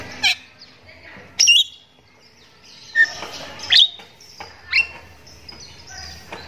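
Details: Javan myna singing energetically (gacor) in the morning: scattered sharp, buzzy bursts and short whistled notes with quiet gaps between, about five loud notes over six seconds.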